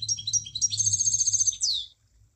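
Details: Munia song: quick high chirps leading into a steady buzzy trill, closing with a falling slurred note; a faint low hum sits underneath.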